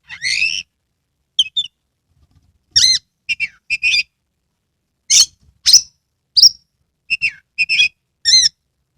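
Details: Oriental magpie-robin in Kebumen, Central Java, Indonesia, singing with fully opened tail: varied high whistles, harsh squawky notes and sharp chirps delivered in separate bursts, some with ringing layered tones, spaced about half a second to a second apart.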